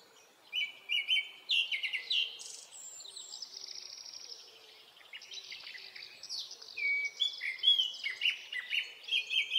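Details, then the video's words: Japanese thrush, Black Thrush, singing in the forests of Hokkaido, Japan, early summer: varied whistled phrases in two bursts separated by a quieter stretch of high twittering, with clear slurred notes ending the passage. "クロツグミの鳴き声（さえずり） / Japanese Thrush"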